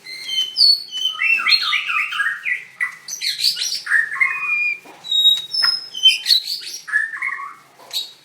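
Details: White-rumped shama, singing contest winner on 7/25/16, dancing as it sings: a quick series of repeated rolling whistled notes, then varied high slurs and sharp single chips.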